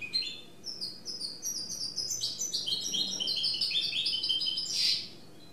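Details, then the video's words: Goldfinch mule singing freely: rapid, twittering high-pitched song of short chirps and trills, rising and falling in quick succession, ending with a brighter burst of notes. Quiet background. "Goldfinch Mule singing free !"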